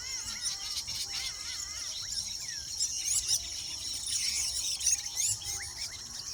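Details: A weaver bird nesting colony in nature: continuous shrill, buzzy chatter overlaid with repeated wavering chirps and a few rising squeaky notes toward the end.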